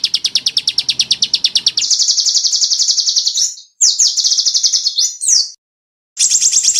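A small bird sings rapid, high, sharp trills of repeated chips, switching to faster rattling bursts with brief pauses between phrases.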